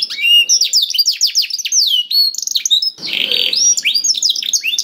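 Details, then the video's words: Canary singing, played to get a quiet canary singing: jumbled high whistled swoops and quick notes, broken by a short harsh, scratchy burst, then more swooping phrases. "PANCINGAN KENARI SUSAH BUNYI AUTO NYAUT GACOR TANPA HENTI || VOICE OF CANARY"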